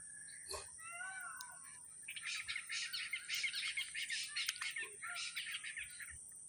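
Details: Red-wattled lapwing giving a rapid series of harsh, sharp notes, repeated several times a second for about three seconds, after softer whistled notes from other birds at the start; a steady high hiss runs throughout.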